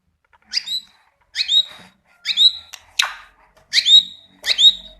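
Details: White-rumped shama singing in the styles called ngeplong and ngorok: six loud, bright whistled phrases about a second apart, each a sharp rising-and-falling whistle with overtones, one phrase a harsher rasping burst, over a quiet background.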